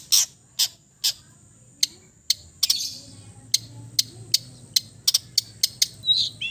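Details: East Javan long-tailed shrike in easy, chatty song for therapy of silent shrikes: a series of crisp high ticks, spaced widely at first and then closer together, ending with a short thin whistle.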